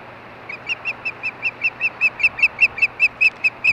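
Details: Osprey at a Montana nest, evening, around mating: a steady string of about sixteen sharp, high whistled chirps, evenly spaced and growing louder, over faint electrical hum.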